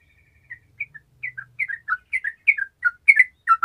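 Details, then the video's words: Lively sooty-headed bulbul song used to lure sluggish bulbuls into song: a faint held whistle leads into evenly spaced, bubbly slurred phrases, getting louder, with a low hum in the background at first. "TRUCUKAN MALAS LANGSUNG MERESPON DENGAN SUARA TRUCUKAN GACOR INI"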